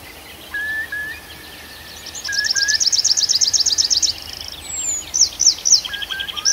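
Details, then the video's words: Night forest birdsong from Arkhangelsk Oblast in June: level whistles at first, then a long run of rapid high repeated notes, about four per second, followed by descending chirps and short lower whistles. "Пение птиц в ночном лесу"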